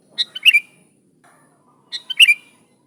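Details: Recording of a lively sooty-headed bulbul, meant to attract and excite wild bulbuls: two short bubbly phrases of descending, rich chirps about 1.7 seconds apart, with a quiet note between.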